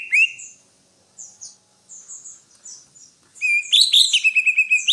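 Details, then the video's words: Greater green leafbird giving soft, thin high whistles and short slurred notes, then breaking into a loud burst of rapid chattering, warbled phrases near the end. "Suara burung Cucak Hijau"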